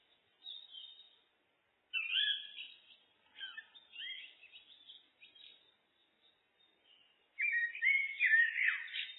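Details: Common blackbird (Turdus merula) song: separated phrases of rich, fluty whistles broken by softer high squeaky twitters, with a loud warbled phrase near the end; no other sounds heard.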